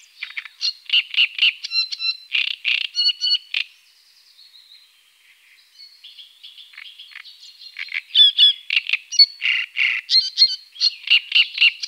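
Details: Great crested grebe with chicks at the Tovačov fishponds, Czech Republic, recorded 2013–2014; rapid series of high, sharp piping notes, about four per second, breaking midway into softer thin notes before resuming loudly.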